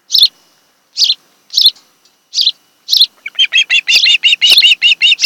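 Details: Osprey pair at their nest on Kent Island, Maryland, filmed by nest camera on 26 July 2018 in the afternoon: five sharp, high chirps about every 0.7 seconds, then a quick excited run of arched, whistled notes.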